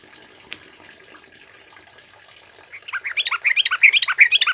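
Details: Sooty-headed bulbul, a male, singing energetically in the wild style, used to prompt and tutor other birds: silent at first, then a quick run of bright whistled notes jumping between mid and high pitch, about three per second.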